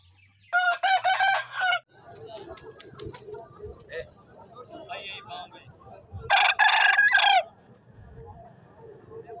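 Two loud rooster crows, each lasting over a second with a harsh, wavering cock-a-doodle-doo, separated by about four seconds of low background clucking and farmyard murmur.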